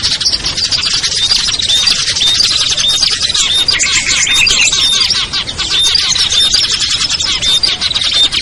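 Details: Small birds' lure sound for drawing down ciblek, kutilang, trucuk, sogon, perenjak and similar birds: a constant, crowded twitter of high chirps with repeated short whistled notes scattered across the whole stretch.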